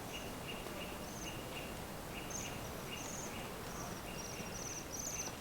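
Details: Bohemian waxwing among lingering snow along the Senjogahara boardwalk, Okunikko, Japan, giving small 'chiri chiri' calls: faint, thin, high notes repeated in short bursts throughout, over steady low environmental hiss.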